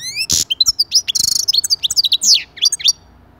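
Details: European goldfinch song, played to encourage other goldfinches to sing: rapid, bright twittering of high buzzy trills, sharp chips and rising whistles, delivered in quick bursts with brief pauses.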